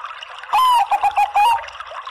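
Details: Female zebra dove of Bangkok stock calling to a male: a short run of soft, mid-pitched staccato coos, one drawn note followed by quick clipped notes, over steady trickling water.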